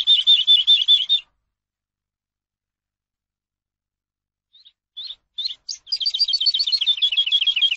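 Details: Eurasian skylark song used for teaching captive birds. A rapid, high, rolling trill plays for about a second, then a long silence. Stuttering chirps follow and build into a fast, buzzy, continuous high warble.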